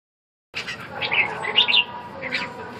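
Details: Red-whiskered bulbul: after half a second of silence, bright warbling chirps and short high slurred notes come in quick bursts over a low murmuring background.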